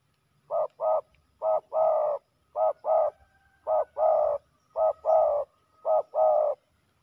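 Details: Fighting male spotted doves at a ground decoy spot, one cooing in a rhythmic series: a short note then a longer, fuller coo, the pair repeated about six times over seven seconds, mellow and low, with faint rustling.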